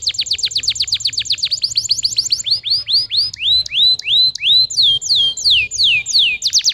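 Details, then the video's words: Canary singing a lure song meant to stimulate young, reluctant canaries to sing: a fast rattle of steep downswept notes, then clear rising whistles repeated several times a second, over a low background hum. "PANCINGAN KENARI BAHAN Ampuh & KENARI PAUD MALAS BUNYI"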